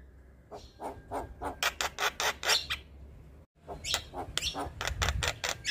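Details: Male Javan myna, very vocal and used to train other mynas, giving rapid trains of harsh rasping chatter pulses in two bursts separated by a short silence.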